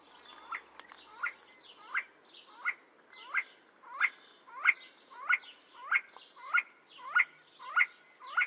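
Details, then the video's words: See-see partridge (Ammoperdix griseogularis) call and song: a steady run of short, sharp whistled notes, about one every 0.65 seconds, each dipping in pitch. "See see partridge (Ammoperdix griseogularis) call and song"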